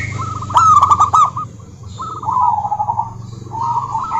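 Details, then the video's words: Female local zebra dove calling to a rival, a burst of sharp clicks opening a trilled coo, then a short pause and further rolling trills over a low hum. "Suara Burung Perkutut Lokal betina gacor memanggil lawan"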